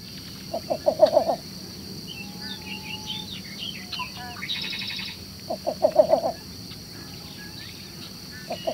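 Least Bittern giving two soft, low cooing series of about five quick notes, a few seconds apart. Faint chirps from other birds behind.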